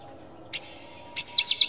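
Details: Oriental magpie-robin lure song meant to provoke another bird into singing and tail-spreading: two short bursts of high, clear, bright notes separated by about half a second of quiet.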